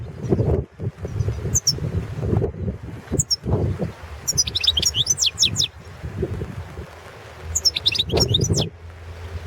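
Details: Competition entry for the 2017 world goldfinch song championship by a European goldfinch, subspecies balcanica: four separate bursts of sharp, high twittering and tinkling notes, the longer phrases about a second each, with low rumbling noise and pauses between them.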